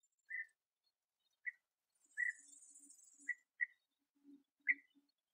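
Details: Bee-eaters at their last nest burrow, where young are still being fed, on a sunny 21°C day, 8 August 2017: short rolling mid-pitched notes repeated about once a second, with a soft high hiss and low murmurs beneath.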